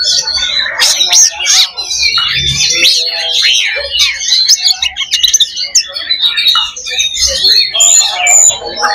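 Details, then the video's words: Oriental magpie-robin, kacer, 'loba' fighting song meant to strengthen fighting mentality: crowded chirps, slurred whistles and scratchy trills overlapping continuously, with soft low knocking sounds underneath at intervals. "SIMULASI LOBA BURUNG KACER || MENAIKAN MENTAL TARUNG / FIGHTER"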